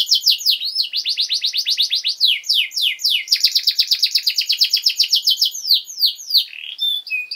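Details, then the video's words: Canary master song for teaching young birds: long continuous high trills of rapidly repeated notes, switching between faster and slower rolls with sweeping downslurred phrases, ending in a buzzy flourish. "Canary Singing!Masteran Kenari Gacor Durasi Panjang 1 Titik Bagus Untuk PAUD Cantante Canario Actual"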